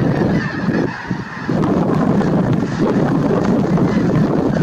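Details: Massed snow geese calling together at Merced National Wildlife Refuge in January 2023, their honks blending into a thick, unbroken clamour with a brief lull near the one-second mark.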